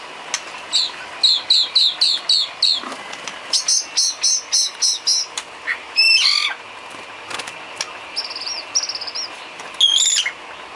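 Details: White-rumped shama filler song used for training cage birds: rapid series of repeated sharp chirps, then varied buzzy trills, clicks and high whistled phrases in quick succession.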